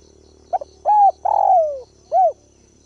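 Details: Ground decoy spotted dove giving its luring call: a brief doubled note, then a sustained coo, a long descending coo and a last curved coo, mellow and low-pitched with a slight steady background drone.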